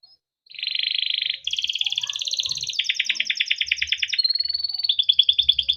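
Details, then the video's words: Male canary kept at home, singing long 'cuit cuit ngerol' song as a lure to get lazy or silent canaries singing. Successive high rolling trills change speed and tone, including a brief clear whistle, with no pauses. "burung KENARI CUIT CUIT NGEROL untuk pancingan kenari biar gacor"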